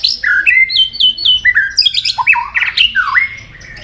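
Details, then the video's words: White-rumped shama in a singing duel, displaying with wing flaps and turns; a fast run of bright falling whistles repeated four times, then louder harsh rasping notes and a final swooping whistle that fades away. "Chòe lửa hót nhiều giọng rừng đảo liên tục.chòe lửa căng lửa hót đấu đập xoay"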